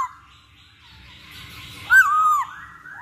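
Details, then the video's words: Masked laughingthrush lure song to encourage birds to sing; after soft background chatter, one short loud whistled phrase rising then falling, trailing into fainter whistles. "Pancingan Poksay Hongkong Agar Cepet Bunyi"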